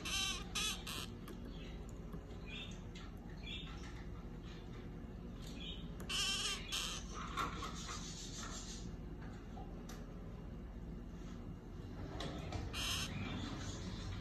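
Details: A pair of orange-fronted parakeets giving harsh, raspy screeches in short bursts near the start, around six to seven seconds, and again near thirteen seconds, against a steady low background hiss.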